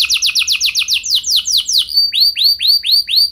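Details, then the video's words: Canary song recorded to train other canaries: quick repeated chopped notes at about two per second, then a faster trill, followed by evenly spaced downward-curving whistles. "Pancingan Burung Kenari Ampuh Bikin Kenari Lain Auto Gacor Ngeroll Panjang | Canary Singing"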